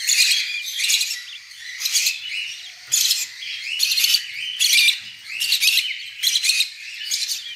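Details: Budgerigar nestlings taken out of the nest repeat hoarse, buzzy squawks about once every second, a steady run of rasping bursts with faint handling noise beneath.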